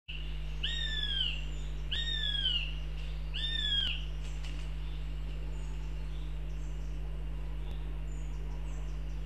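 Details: Goshawks in Riga, Latvia: three loud, shrill, downward-slurred squealing whistles about a second and a half apart, then fainter calls, over a steady low hum.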